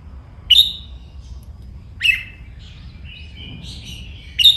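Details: Caged red-whiskered bulbul in song training: three sharp, piercing whistled notes spaced about two seconds apart, with soft warbling, chattering notes filling the gap between the second and third.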